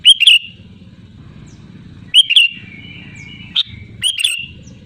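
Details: Lure recording of a loud sooty-headed bulbul calling rivals. Bright, bubbling whistled phrases with a drawn-out falling tail repeat roughly every two seconds, with a lone sharp chip between them and a droning low hum underneath.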